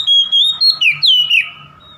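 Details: Oriental magpie-robin singing to provoke a rival: two seconds of loud, sweet whistles, level at first, then swooping downward slurs in quick succession before fading into a low steady hum.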